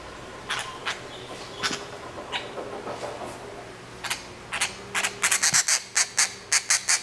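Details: Grey treepie chick, two months old and raised by hand, begging at feeding time: faint scattered rasps at first, then a loud series of harsh, grating bursts in quick succession.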